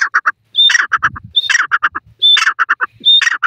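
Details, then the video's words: Grey francolin (desi teetar) calling in forest: loud harsh chattering phrases, each opened by a high thin whistled note, then a quick run of clipped notes, the phrase repeating about every 0.9 seconds. "desi teetar forest ia first days,pheasant bird sounds"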